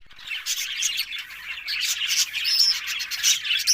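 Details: Budgerigars recorded on October 1, a dense, continuous warbling chatter of many birds, with busy twittering notes, a few clear whistled chirps near the end, and no pauses.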